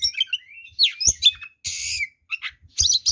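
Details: Oriental magpie-robin giving aggressive, rival-provoking song: rising and falling whistles, a sharp upward slur, then a harsh buzzy burst and short chattered notes, with soft low knocks in the background.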